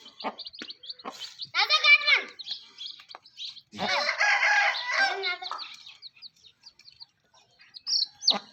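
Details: Chickens with young chicks: a loud, harsh, harmonic rooster-like crow rises and falls twice, around two and four to five seconds, over constant high, thin chick peeps and brief clucks.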